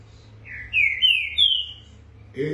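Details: Caged green-winged saltator, a 2019 Brazilian COBRAP champion numbered 175, singing in the 'fibra e velocidade' style: three loud, slurred whistled notes, each sliding slightly, delivered in quick succession, followed by a man's voice starting at the end.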